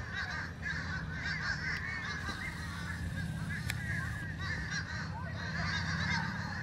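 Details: Fish crows calling together in a ruckus, a continuous jumble of nasal, slightly wavering caws from many birds, with a loud steady low hum and a brief click midway.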